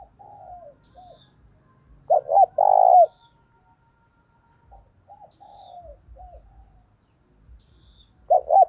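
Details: Decoy spotted dove cooing to draw in wild doves, thúc bổi style: soft low hooting notes, then a loud phrase of two brief hoots and a long coo, with the next phrase starting near the end.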